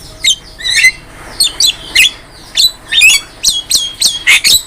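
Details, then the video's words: Javan myna in peak form, recorded as a master for songbird training: a string of squeaky, slurred whistles and scratchy notes, more rapid toward the end. "MASTERAN JALAK KEBO GACOR"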